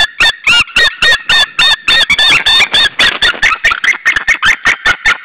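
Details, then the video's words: Pair of wild White-tailed Eagles at their nest in Saunja, Estonia, on 26 April 2013 around 19:20, shouting at another White-tailed Eagle after arriving. Loud, rapid series of harsh, yelping harmonic notes, about a hundred per minute, with uneven spacing. "Saunja Sulev arrived shouting than came Linda, both shouting to another WTE"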